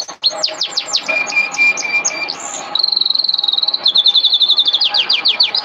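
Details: Canary training song: fast descending sweeps, a steady whistled note, then a long rapid trill of repeated notes about a dozen a second, ending in more quick downward sweeps.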